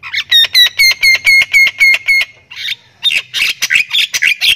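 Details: Thailand-type Javan myna in full, busy song with cackling laughter-like phrases: a fast train of clipped, ringing harmonic notes, a brief pause with a harsh rasp, then a burst of mixed squawky and whistled notes.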